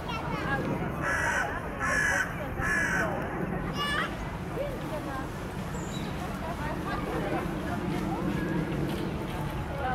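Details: In a Paris botanical garden, carrion crows give three harsh, rasping caws about a second apart while mobbing in flight a grey heron atop a tree, then fall quiet under a steady murmur of distant voices and city noise.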